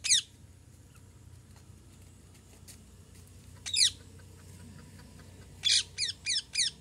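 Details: Parrot calling: a harsh, ragged squawk at the start, another near four seconds, then a quick run of four loud screeches toward the end, over a low background hum.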